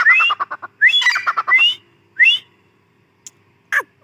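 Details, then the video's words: A female grey francolin gives rapid harsh, stuttering notes mixed with rising whistles, then a single clear whistle and a sharp click after a pause. "Teetar awaz | Teetar voice | gray francolin teetar sound | Teetar ki Awaz bohra Teetar awaz"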